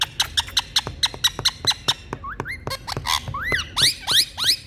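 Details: Indian green parrots (rose-ringed parakeets) making different sounds: a fast run of sharp dry clicks, then harsh rising squawks and buzzy screeches layered with harmonics in the last seconds.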